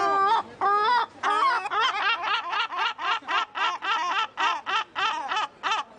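Laughing Gull gives a few drawn-out, rising nasal wails, then a quick run of about a dozen shorter 'ha-ha' notes that sound like human laughter.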